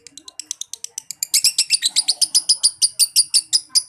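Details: Caged lovebird from Central Java, young or adult, chattering a long series of sharp, high, evenly spaced notes that grow louder after about a second, nearly three per second; faint voices in a small room behind.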